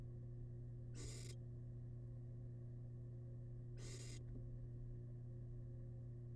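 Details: Wild barn owl chick in a nest box, feeding on rabbit leftovers; two short broadband hissing bursts about three seconds apart, over a steady low hum.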